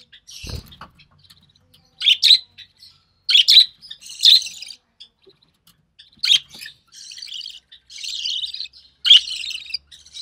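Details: Lone recessive pied budgie chick from an early June 2020 clutch of three, being fed by its mother; loud abrupt raspy squawks alternate with quieter scratchy chatter, after a thud at the start.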